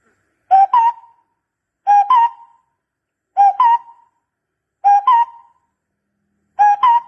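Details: Barbet lure call: paired notes, a lower note jumping to a slightly higher drawn-out one, repeated about every one and a half seconds against silence.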